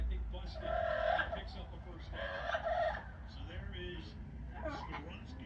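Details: Pet yellow-naped amazon parrot making noise while hanging out on its perch during a Thursday night football game. It gives two loud, drawn-out harmonic squawks about a second each, followed by shorter, softer calls over a low background rumble.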